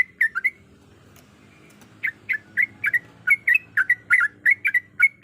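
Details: A female yellow-vented bulbul in breeding condition, calling a male: a short burst of chirps, a second of quiet, then a rapid run of warbled notes.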